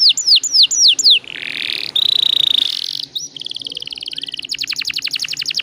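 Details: Canary lure song in the long-roll style: four high descending whistles, a harsh buzzy note, a sustained steady whistle, then a fast even trill of repeated high notes.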